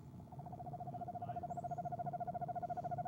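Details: Female eastern screech owl in a nest box on a camera, trilling in the evening of 25 January 2015 shortly before leaving at 6:10pm; a steady, rapid, even-pitched pulsed trill that swells louder toward the end.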